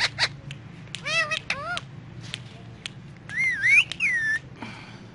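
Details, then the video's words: Ringneck parrot kept as a pet, heard in the morning: sharp clipped squawks, bouncy warbling chirps and a long wavering whistled phrase that rises and dips, over a low background hum. "Ringneck Parrot Morning Time Sounds"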